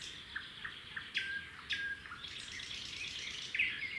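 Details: Red-backed shrikes at a wild nest by a road: the male brings a grasshopper and the female feeds it to the chicks. Harsh, rasping broadband notes sound at intervals over a busy background of high chirping from other birds.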